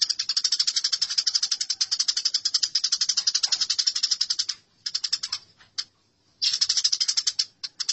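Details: Sustained, rattling chatter of a fighting Eurasian tree sparrow, about four harsh chirps a second for several seconds, then shorter broken bursts.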